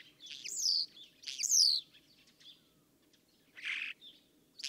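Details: Common Starling song: high descending whistled slurs near the start, then a quiet gap and a harsh broadband rasping burst, with soft whistled notes in between.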